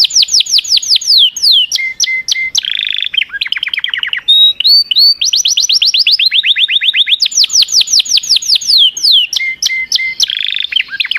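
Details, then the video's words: Singing canary delivering long rapid rolls of sweeping notes, interrupted by short buzzy trills and steady whistled tones, then another fast descending roll before more buzzy phrases. "تغريد كناري Chant Canaris singing canaries"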